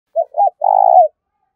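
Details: Spotted dove decoy bird giving urging and calling coos: two short hooting notes, then a longer rolling, slightly pulsed coo ending in a downslur, all low and mellow, with silence around it.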